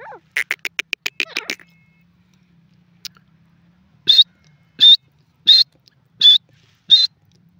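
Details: A quick, pulsed rattle of notes from a francolin is followed by silence. Then come five loud, high, clipped notes repeated evenly about every 0.7 seconds.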